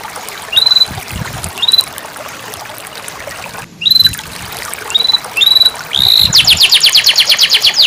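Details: Canary song played to coax a silent canary back into singing: spaced short rising whistles, a brief gap, more upslurred notes, then a fast, bright repeated trill to the end.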